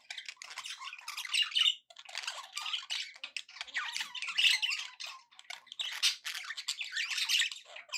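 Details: Contented pet budgerigars keep up a long, rolling chatter of grating warbles and thin squeaky whistles, swelling and fading in waves about every couple of seconds.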